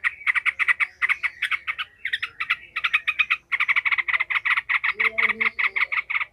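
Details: Enraged Yellow-vented bulbul cackling emotionally, used to train other bulbuls for fighting: a nearly continuous, fast, even stream of harsh chattering notes with one brief break.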